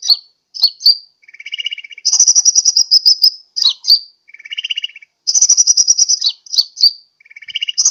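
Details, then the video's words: Sunbird lure call meant to draw in birds, recorded for Sukabumi, Pajampangan: buzzy rattles, bright rapid trills and sharp high chips follow one another in varied sequence. "SUARA PIKAT/PANGGILAN BURUNG KOLIBRI"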